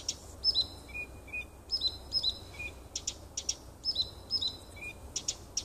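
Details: A nightingale sings in a little wood beside a house on 30 June 2015, alternating paired falling whistles with bursts of dry clicking notes, the patterns repeating about every two seconds.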